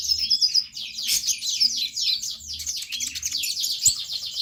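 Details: Sunbird singing hard as a prompt for other birds: a very dense, high, hissing-bright sweep of rapid notes with hardly any pause across the whole stretch.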